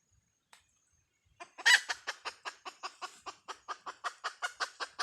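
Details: After a near-silent start, a hen breaks into a loud harsh note and then a brisk, regular string of short clucks that continues to the end.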